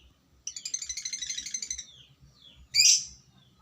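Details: Lovebird ngekek used to spur other lovebirds: a rapid stuttering high trill of about a second and a half, then a short pause and one loud harsh squawk, over a soft low thumping.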